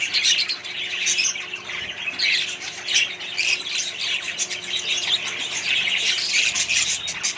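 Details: Many budgerigars in a colony with other birds give harsh squawks and rapid warbling chirps that blend into a steady, noisy chorus.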